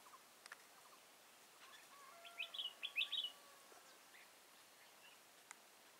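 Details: Red-whiskered bulbul fighting song during trapping with a caged decoy bird, Kim Bôi, Hòa Bình, Vietnam, 6 April 2017: a cluster of quick, bright warbled notes lasting about a second, over faint background hiss and a few distant clicks.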